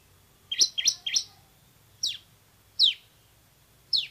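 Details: In full song, a bar-winged prinia (ciblek semi) gives three quick high chirps in a cluster, then single sharp downslurred notes spaced nearly a second apart.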